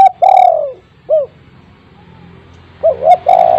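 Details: Spotted dove, its call played to set silent home-kept doves calling. A long rolled coo ends, a short coo follows, then the phrase restarts with two quick rising coos and another long drawn-out rolling note.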